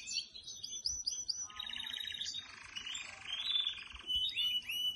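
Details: Canary trained at home singing on a person's hand, starting when it hears its keeper's voice; high chirps lead into a long loud rattling trill, then clear whistled notes.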